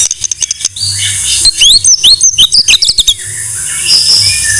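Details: White-rumped shama song used as a master tutor song for training other birds: rapid high chattering notes, then a run of sharp rising and falling whistles, ending in a thin buzzy phrase.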